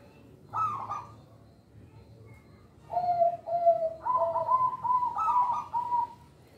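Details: Local zebra dove song used as a lure for young birds: an opening higher burst, a pause, then a run of level cooing notes that climbs into a quick, pulsing series of higher trilled notes.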